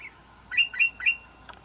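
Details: Wild-caught red-whiskered bulbul with an island-forest voice gives three bright, slurred chirps in quick even succession, over a low background hum.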